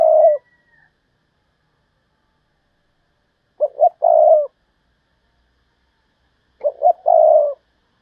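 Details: Decoy spotted dove repeating its thúc bổi lure call: three clear, mellow phrases about three seconds apart, each a pair of short notes leading into a longer vibrating coo, in near silence.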